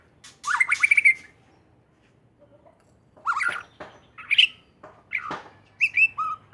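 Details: White-rumped shama from Aceh singing: loud, varied whistled phrases with rising slurred notes and sharp chips, separated by pauses of up to two seconds, a short soft warble in the gap.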